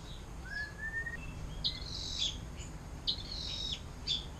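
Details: Canary with the 'air mancuran' song style, kept as a tutor for murai batu, cucak ijo and cendet: quieter passage of a gliding whistle followed by scattered sharp, high chirps and short notes.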